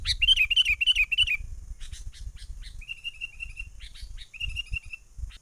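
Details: Lively wild sooty-headed bulbul used as a trapping lure. A loud run of bright chirps opens, followed by softer scattered notes and two level, thin trilled phrases, over low rumbling noise.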